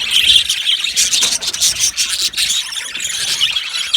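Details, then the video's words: Budgerigars in an aviary colony, short burst of high squeaky chirps and rasping chatter from several birds, with a brief whistled note at the start. "Budgies chirping sounds"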